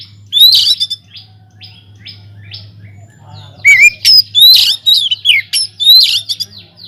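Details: White-rumped shama singing energetically in a large aviary, used as a lure to get other birds singing: bursts of sharp whistles and rapid chattering phrases at high pitch, a brief pause, then denser repeated phrases; steady low electrical hum beneath.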